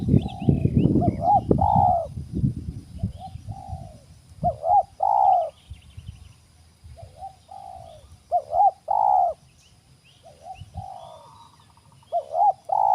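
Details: Spotted dove, wild bird at a trapping spot, repeating its cooing phrase several times: two quick soft notes and then a longer, fuller coo, with short pauses between phrases. Low rumbling noise at the start, with faint high bird chirps behind.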